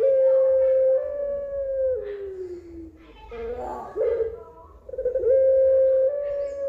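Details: Pelung dove singing long held hoots that step up slightly, glide downward, pause with rough fluttering notes, then resume level and sustained, over a low hum.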